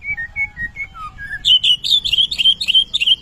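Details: White-rumped shama in full song, a training recording in the kretetan lure style: clear whistled notes that alternate high and low, then a fast, loud run of sharp, bright notes repeated almost four times a second.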